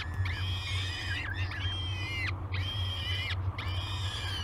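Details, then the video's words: Young peregrine falcons at the Great Spirit Bluff nest cam, 22 May 2020, begging as breakfast arrives; loud, lengthy harmonic wails with slight pitch wobble, three long cries in quick succession over low steady hum. "Breakfast at Great Spirit Bluff"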